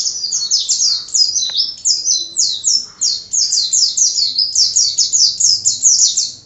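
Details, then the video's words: Pleci (Oriental white-eye) in steady 'gacor' song for masteran: a long, unbroken stream of high, rapid, slurred twitters, every note sliding downward. "Suara Kicau Burung Pleci Gacor Untuk MASTERAN"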